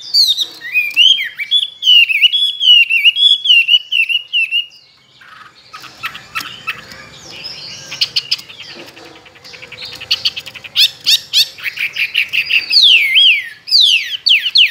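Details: Tame hwamei kept caged two years, a strong competition songster with varied forest voices: fluid whistled phrases at first, a stretch of scratchy clicks and rustling, then loud varied whistles returning.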